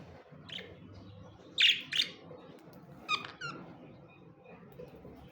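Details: Two pet budgerigars kept indoors: short, harsh, scratchy chirps arrive in two close pairs mid-recording, bright and sharp against a low steady room hum, with quiet gaps between them.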